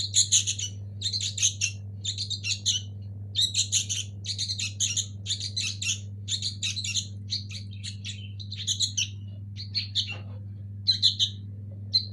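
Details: Young local sooty-headed bulbul, a nestling, giving high, harsh chirping bursts in uneven clusters roughly once a second, with brief pauses between runs; a constant low hum runs underneath.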